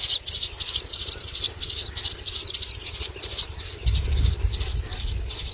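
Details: Common myna chicks being fed a lizard by a parent: harsh, hissing, high-pitched bursts repeated rapidly, roughly two or three per second, with short gaps and a low rumble of handling noise near the end.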